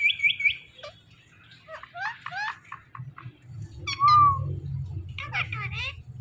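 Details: Indian ringneck parakeet mimicking speech: a run of sharp repeated chirps, then a smooth whistled phrase and harsh squawky syllables, with a low background hum and faint music.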